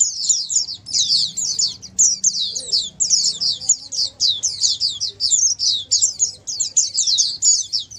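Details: Group chorus of Oriental white-eyes meant to make a quiet white-eye answer and sing more often; continuous sharp, high twittering phrases tumbling over one another, steady low background hum.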